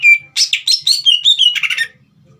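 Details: Captive green leafbird whose song is meant to provoke a young bird: one clear sustained whistle, then a fast tumbling string of bright warbled notes lasting under two seconds.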